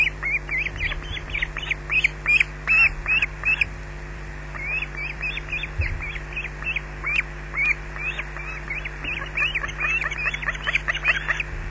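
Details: Squawking osprey on its nest in Scotland, filmed by a wildlife camera while another osprey attacks: bursts of shrill, rapid chirping squawks come in uneven runs, pause, then resume thick and fast, over a low steady hum.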